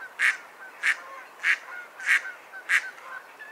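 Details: Six loud, coarse quacks from a mallard, evenly spaced a little over half a second apart.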